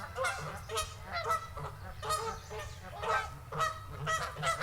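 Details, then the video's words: A flock of geese on a lake honks steadily, with overlapping nasal, harsh calls about twice a second over a low rumble of background noise. "Flock of Goose in The Lake"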